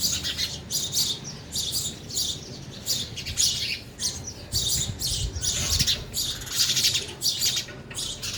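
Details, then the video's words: Several sparrows at a feeder while eating, including a young one; a dense, busy chatter of high squeaky chirps in pulsing bursts almost without pause, over faint low hum. "sparrow sound effect | ચકલી ઘર | chaklino avaj | sparrow eating"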